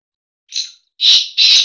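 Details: Kala teetar or black francolin calling in breeding season, a brief quieter opening note followed by two loud, harsh, rasping notes in quick succession, with nothing else audible.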